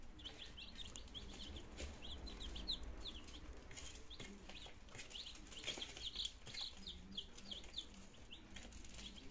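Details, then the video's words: A brood of nineteen healthy chicks on their second day in Germany, 17 September 2022, first attempting to eat and drink; quick high peeps in busy bursts, many birds calling at once over a low droning hum. "My Chicks in second Days - Meine Küken in der zweite Tag"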